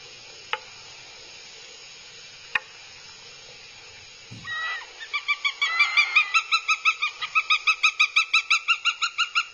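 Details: Northern goshawk chicks behaving aggressively at their nest in Abernethy, Scotland, filmed by a live nest camera in 2022. After quiet hiss, two sharp clicks and a thump, a steady run of nasal, harmonic whining calls begins, evenly spaced at about three per second.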